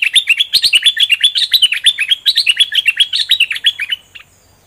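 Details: Doubled-style song of a caged bulbul whose feathers have fully grown in: a dense, unbroken run of rapid, bright chirping notes, roughly four per second, sweeping up and down for about four seconds before stopping.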